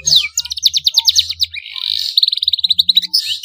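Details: A young Black-throated canary learning to sing gives a fast, high song: a rapid trill of repeated chips, a buzzy rising phrase, then another quick run of bright notes.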